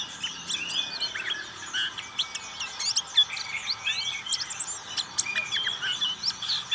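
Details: Continuous ngriwik song from a black-capped white-eye, busy and twittering, with thin high notes, short warbled slurs and crisp clicks packed closely together throughout.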